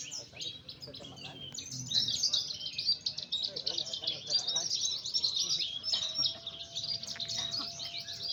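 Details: Javan bush lark from Sumedang, West Java, Indonesia, singing a fast, continuous high twittering song of dense chirps and trills with little pause. Faint low background noise and a steady thin tone in the later part.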